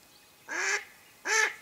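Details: Mallard hen used as a live lure for duck hunting gives two loud, harsh, nasal quacks about three-quarters of a second apart, with a quiet background between them.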